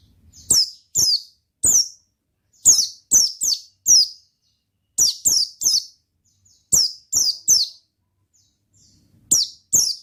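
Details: Oriental white-eye singing in 'gacor ngalas' style: clusters of two to four sharp, high, falling chirps delivered rapidly, separated by short pauses across a long, lively sequence.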